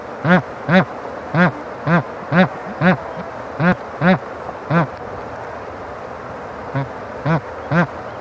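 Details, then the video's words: Bar-headed goose (Anser indicus) gives short nasal honks, about two per second in an uneven series, then a pause before a few more; faint background murmur. "斑頭雁/Bar-headed Goose"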